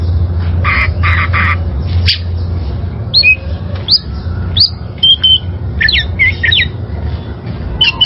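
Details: Wild-caught oriental magpie-robin singing for caged-bird training: opens with harsh buzzy bursts, then spaced sharp whistled notes and slurred chirps, with low rumbling hum throughout.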